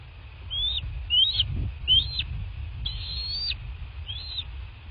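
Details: Nest camera at a bald eagle nest in southwest Florida, 23 February 2024: five shrill, piping whistles, about one per second, each climbing then falling abruptly, one note longer and flatter, against a low hum.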